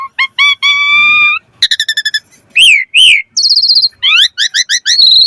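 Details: Varied 'mompa' song of an Asian pied starling used to prompt singing: rising harmonic whistles, a long steady note, arched slurs, a high trilled buzz and quick upward chirps in varied order.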